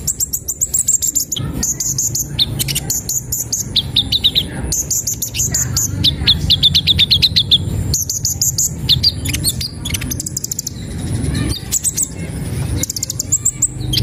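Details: Kolibri ninja sunbird in sustained song: long stretches of piercing high chirps, trills and chattering phrases, repeated in dense bursts with brief pauses, against a low rumbling background.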